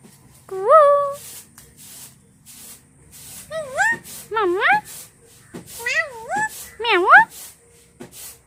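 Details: Talking pet parrot uttering a string of short, wavering, speech-like calls, each rising then dipping, about five in quick succession after a longer opening note; steady low hum and soft clicks behind.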